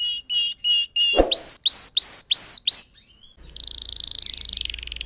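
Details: Red factor canary singing for other birds to copy: evenly spaced flat whistled notes, then higher rising whistles, ending in a fast buzzy trill.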